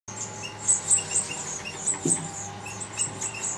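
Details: Female goldfinch feeding her brood, with thin, high chirps from the young in scattered bursts over a steady low background hum.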